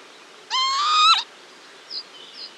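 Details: A pair of northern lapwings alarm calling to their young: one loud, drawn-out, wheezy note rising slightly and ending in a downward slur, followed by faint high chirps.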